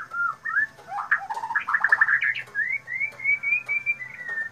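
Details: Loud, clear song of a white-rumped shama: varied whistled phrases, a rapid chattering run of short notes, then a series of smooth rising whistles repeated about six times.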